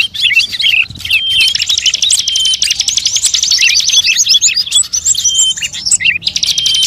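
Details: Recording for luring birds of all kinds: scattered chirps at first, then a long dense burst of fast trilling and twittering with level whistled notes, tapering back to separate calls.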